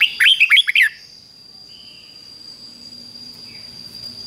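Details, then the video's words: Doubled 'beun' song of a Red-whiskered Bulbul, played to train chicks: one fast phrase of rich, sliding whistles at the start, followed by quiet background with a faint low hum and steady high tone. "นกเบิ้ลอาชีพง่ายๆ ฟิก-จิก-ฟก ล้วนๆ เปิดไห้ลูกนกฟังทุกวันติดแน่นอน"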